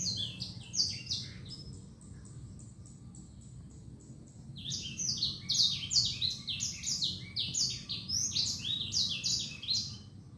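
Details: Caged sanger bird singing inside a cungkok cage: bursts of high, fast chirps and twittering notes, a short pause, then a longer dense run of varied bright notes, over a low background hum.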